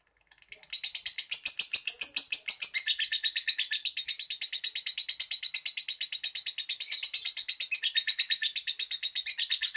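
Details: Pet lovebird giving a long, fast train of sharp, high, clipped chirps, about two per second, steady and unbroken for nearly ten seconds with no other sounds.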